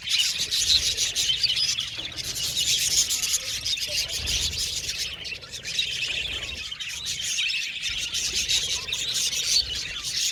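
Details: An aviary flock of budgies chattering nonstop: bright, scratchy chirps pile into a constant high twittering wash, swelling and easing slightly over about ten seconds, with occasional sharper squeaks.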